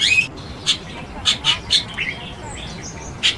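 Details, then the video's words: Chestnut-tailed starling, also known as grey-headed starling, giving sharp, clipped chirps spaced irregularly about every quarter to half second, plus one harsher burst at the start and faint distant whistles. "栗尾椋鳥/Chestnut-tailed Starling"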